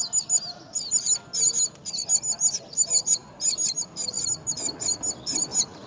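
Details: Myna birds caring for their young at the nest: rapid bursts of high, thin chirps and squeaky twitters, repeated in clustered pulses roughly every half second, with a soft background hiss.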